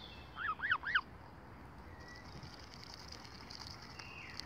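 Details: A lone gosling with no siblings, often bullied by other goose families, gives three quick high peeps that rise and fall within a second, then quiet background hiss.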